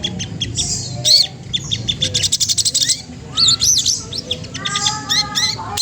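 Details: Spotted Magpie-robin song used to tease a rival into singing. The song is varied and high-pitched, mixing buzzy rattles, rapid ticking bursts and clear whistled phrases, with lower sliding notes near the end.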